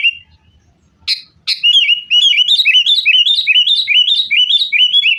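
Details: Sooty-headed bulbul lure song for caged birds, fighting: two sharp clicks, then a fast continuous run of repeated bubbly, warbled notes for several seconds.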